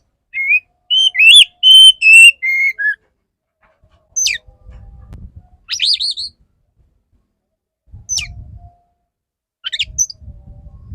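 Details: Courting male Oriental magpie-robin singing to a female: a run of about six clear, steady whistled notes at varied pitches, then sparse sharp downslurred chips roughly every two seconds, with low rumbling noise between them.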